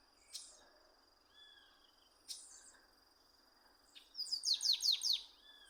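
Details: Chestnut-capped blackbird singing in the wild: three sharp chip notes spaced about two seconds apart, then a fast run of high descending slurred notes, over a steady insect hum.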